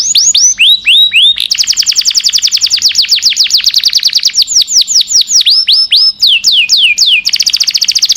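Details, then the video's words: Canary long song meant for tutoring young caged birds, continuous cascades of high whistled notes repeated several times a second, shifting between slower swooping phrases and dense rapid trills. "Burung kenari cocok untuk masteran"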